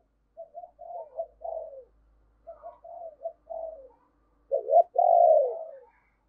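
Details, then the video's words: Spotted dove kept as a decoy for luring wild birds, singing in the deep 'thunder' voice style, utters two phrases of clipped low coos, then a strong, long, falling coo to close. "Tiếng Chim Cu Gáy Giọng Sấm Bầu Gáy Hay - Chim Cu Mồi"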